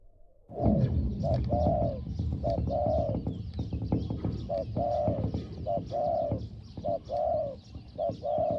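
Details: Spotted dove in a decoy luring session, calling with a small voice rendered as 'hong hong': arched, hollow coos repeated in uneven pairs and triplets, with low rumbling background noise and faint high insect or bird chatter.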